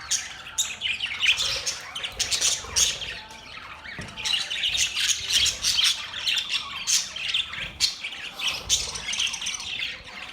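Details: Group of budgerigars producing mating sounds, a constant high scratchy chatter of chirps, squeaks and squawks with frequent sharp peaks.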